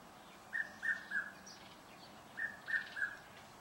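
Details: Red-chested Cuckoo in a suburban garden in Pretoria, South Africa: two clear three-note whistled phrases, each note slightly lower than the last, the phrase repeated after a short pause over a quiet background.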